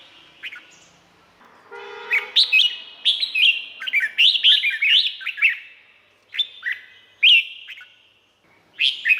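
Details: Red-whiskered bulbul song from Thailand, played for training or to excite caged birds: a dense run of quick bubbly, warbled phrases with sharp upslurs, a brief low buzzy harmonic note early on, and short pauses between bursts.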